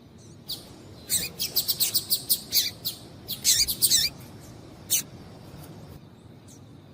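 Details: Calls of a female double-collared seedeater used to stir a male into singing; a quick string of high, bright chirps, then a denser tight cluster, and one last isolated note before near silence.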